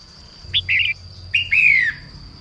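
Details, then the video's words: A female red-whiskered bulbul's morning song, meant to get newly caught birds singing: a short chirp and a warbled note, then a long sliding whistle falling in pitch, over a thin steady whine. "Chim chào mào mái hót sáng kích bổi nhanh ra giọng"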